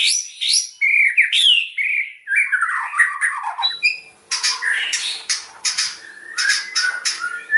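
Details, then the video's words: Loud white-rumped shama song used to stimulate other birds: a cascade of falling whistled notes, then dense scratchy chattering and squawky phrases repeated in bursts. "KICAUAN MURAI KERAS NEMBAK SEKALI PUTAR LANGSUNG CEPAT MERANGSANG"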